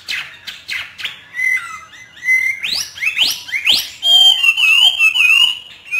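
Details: Trained caged hwamei of northern Vietnam in hót thả singing: sharp upward-sweeping notes, a steady level whistle, then a bright, wavering, fluty phrase with dipping lower notes.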